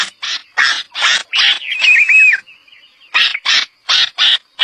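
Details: Red-vented bulbul calling in a rapid series of harsh, rasping bursts, broken midway by a brief wavering whistled note, then a short pause before more scratchy bursts repeated about three times a second.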